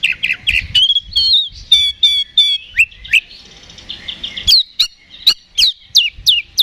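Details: Kacer, or Oriental magpie-robin, singing loudly in fighting mode to draw a response. Rich whistles and clipped buzzy chips, then a quick rattle followed by a series of sharp, whip-like falling notes roughly every third of a second.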